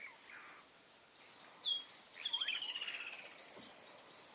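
A Blue-breasted cordonbleu gives a thin, high note, then a quick falling series of high, slightly buzzy notes, against a steady background hiss.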